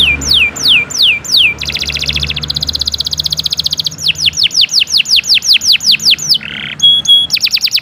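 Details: Canary delivering a long, energetic masteran training song: down-slurred whistles, then a rapid buzzy trill, more rhythmic descending whistles, a short lower note and a final fast high trill.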